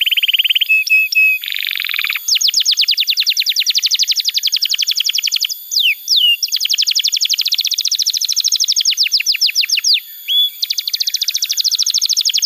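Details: Canary in full, lively song, meant as a tutor for young birds and for canaries that have stopped singing: long runs of fast high trills, broken by brief whistled slurs and short pauses.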